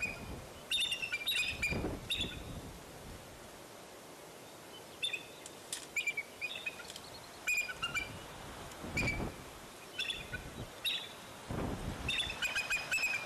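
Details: Bald eagle at the Fraser Point nest on 10 April 2019, when the eaglets fell out of the nest and returned: high, chittering call series with ringing overtones, repeated in bursts, with low thumps and rustling between them.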